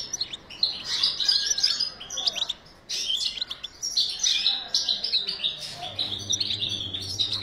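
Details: Caged European goldfinch during breeding, singing a long fast twittering song of high tinkling chirps and buzzy trills, broken by short pauses, with a low hum toward the end.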